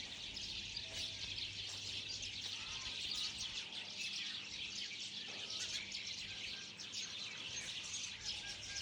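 Many small birds chirp and twitter at once in a dense, high chorus of quick overlapping notes, over a faint low hum.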